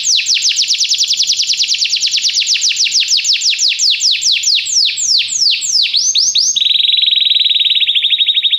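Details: Canary training song to encourage a canary to sing: a long fast series of bright descending whistled notes, quickening, then breaking into a steady rapid trill held to the end.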